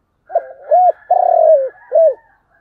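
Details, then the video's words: A spotted dove's 'thúc gù' coo: one phrase of four low notes, a short soft opener, a rounded hoot, a long purring rolled note dropping in pitch, then a final hoot, over a faint higher drone. "tiếng cu gáy/ cu gáy thúc gù"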